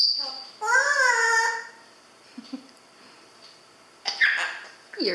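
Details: A pet grey parrot talks in a high, childlike voice, using phrases like "Hello there", "ang ganda mo" and "I'm a superstar": one drawn-out rising-and-falling phrase, then a few clipped syllables and a quick word, in an otherwise quiet room.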